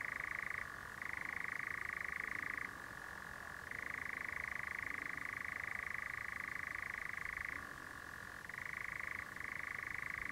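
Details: A European nightjar churrs near dusk at Clumber in a long, unbroken mechanical trill, dropping briefly to a lower pitch every few seconds before rising back again.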